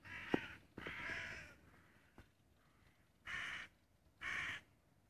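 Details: Crow on 25 June 2017 calling with harsh, raspy caws: two strained notes at the start, a quiet gap, then two more short hoarse caws near the end.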